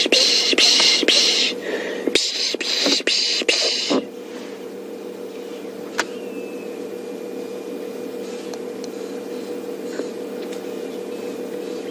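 Scraping, clattering handling noise for four seconds, then a steady low hum with faint clicks and no animal voice.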